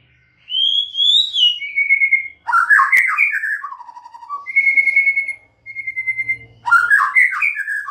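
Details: Varied, loud song of a white-rumped shama: a rising and falling whistled opening, dense chattering bursts, a lower warble, then evenly pitched high whistles and another rapid twittering flourish.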